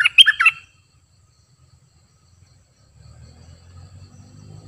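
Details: Decoy cream-vented bulbul giving one short bubbly phrase of about four warbled notes at the start, followed by silence and then a low engine-like hum.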